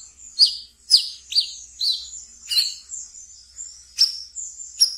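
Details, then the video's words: A kept brown-throated sunbird chatters in ngeriwik style, a lure for raw birds: piercing high chips repeated about every half second, each dropping steeply, with thin sustained high notes between. "Wiceh Ngeriwik Yang Asyik Untuk Di Pelihara dan bisa untuk Pancingan Terapi Bahan kolibri kelapa"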